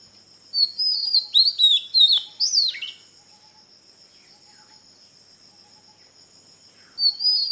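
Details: Oriental magpie-robin giving a quick series of sweet, varied whistled notes, then falling silent for several seconds before starting another high whistled phrase.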